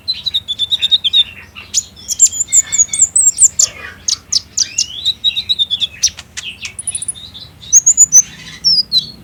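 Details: Lure recording of a speckled olive-backed sunbird (kolibri ninja) used to provoke captive birds into singing. A busy stream of high, sharp chirps and thin whistled slurs runs almost nonstop, with a faint low hum beneath.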